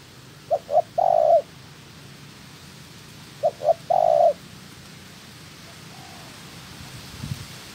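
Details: Decoy spotted dove in trapping training coos twice, each phrase two quick short notes followed by a drawn-out level coo, with a faint distant coo and soft low rumble afterward.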